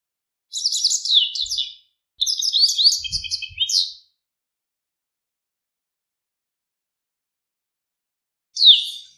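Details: Japanese wagtail (Motacilla grandis) of riverbanks in song: two lively phrases of high, sweet twittering and warbled notes, each over a second long, with a faint low thump between, then after a long silence a single downslurred whistle.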